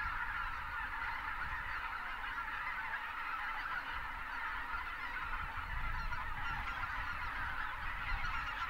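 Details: Massed Greater white-fronted geese, thousands strong, wintering south of Uvalde in South Texas while pelicans take off; relentless overlapping honks and yelps form an even chorus, low rumbling growing slightly toward the end.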